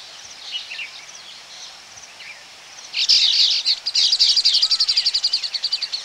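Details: Close-up of Baya weavers calling at their colony: faint, scattered chirps at first, then a sudden loud outburst of continuous high, wheezy chatter that breaks into rapid pulsed notes repeated several times a second.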